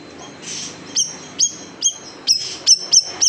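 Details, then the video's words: Big siri-siri bird recorded to tutor cage songbirds, 'tembakan pedas' style: six or seven shrill, high whipping notes, each sliding down sharply, coming faster toward the end. "SIRI SIRI BESAR TEMBAKAN PEDAS | MASTERAN BURUNG KICAU"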